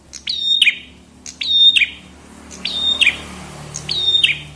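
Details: A chestnut-headed tesia repeats four high, explosive phrases at intervals of about 1.2 seconds, each a sharp note, a short steady whistle and a downward flick, with soft background noise.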